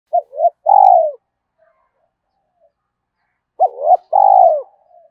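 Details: Spotted dove cooing to spur decoy birds to coo quickly: two low mellow phrases, each a few short clipped notes followed by one long, slightly falling coo, separated by about two and a half seconds of quiet.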